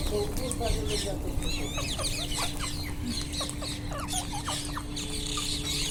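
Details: Wild Indian ringneck parakeets in a noisy chorus of short, sharp, descending screeches and chatter, many birds overlapping, with a steady low hum and low rumble underneath.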